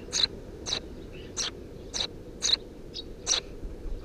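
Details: Eurasian tree sparrow young, three chicks nesting under a house roof, June 2017, give seven bright clipped chirps at roughly half-second gaps, one softer, over a low continuous background hum.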